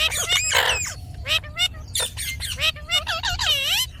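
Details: Ringneck parrot talking: a burst of high, harmonic speech-like syllables with sweeping, wavering inflections, broken by short pauses and ending in a run of rising and falling notes.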